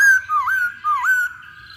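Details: Chinese hwamei lure song: a sustained clear whistle broken by two dipping, swooping notes, each rising again, rich and ringing.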